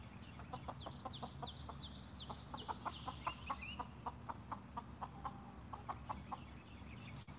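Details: Six Golden Comet chickens enjoying an evening watermelon snack give steady, evenly spaced short clucks, about two each second, while high thin whistled chirps from other birds slide overhead in the first half.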